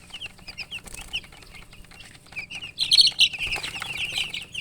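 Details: Newly hatched chicks chirping loudly: spaced single descending peeps at first, then a dense burst of overlapping louder, shriller peeps from several birds.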